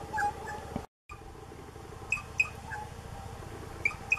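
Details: A plush-crested jay (Cyanocorax chrysops) sings short, bright, high, clear whistled notes in quick pairs, repeated every second or so over a low background rumble.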